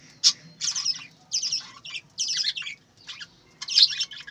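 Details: Farm-kept budgerigars giving grouped bursts of warbling, buzzy high chirps about every half second, separated by brief quiet gaps, over a faint low hum.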